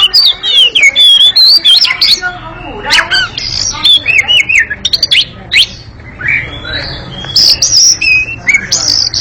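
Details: Oriental magpie-robin in a long, fast, noisy chattering song, dense bursts of whistles, harsh squawks and sharp chirps tumbling one after another with brief pauses.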